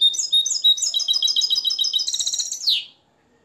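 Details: Moroccan nest-raised European goldfinch schooled in limpio song: clear, high whistled notes give way to a steady, rapid trill of bright twitters ending in a falling buzzy flourish.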